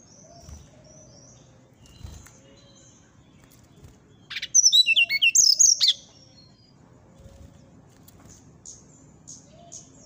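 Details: Brown-chested Jungle Flycatcher (srdc) in the morning: soft, faint whistles, then a loud burst of rapid, twisting high notes lasting about one and a half seconds, and later quiet whistles again.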